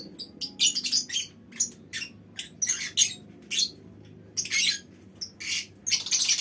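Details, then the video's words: Lovebird colony with scattered, scratchy high squawks and short harsh chirps coming in uneven bursts, with quieter pauses between the calls. "Suara Lovebird Koloni Bikin Burung Lain Ikut Ngekek Panjang"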